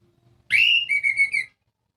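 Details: Orange-headed thrush lure song for silent birds: one loud, clear whistled phrase opening with a rising slur, then three quick steady whistled notes, all within about one second.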